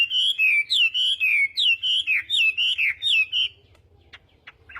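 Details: Chinese hwamei in morning voice training for singing contests, giving about ten loud, evenly spaced whistled slurs in a row, then a few faint clicks.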